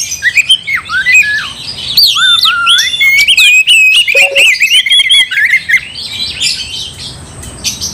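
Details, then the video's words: Provocative song of an oriental magpie-robin stirring up a rival: varied slurred whistles and rattling trills packed tightly for about six seconds, fading to quieter scratchy notes at the end. "Kacer gacor bikin kacer ngamuk"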